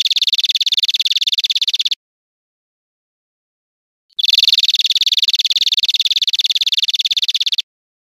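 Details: European Greenfinch in Spain, 2013, giving dense buzzy, rattling trills, very rapid and rough-toned, one ending near two seconds and another running for over three seconds after a gap.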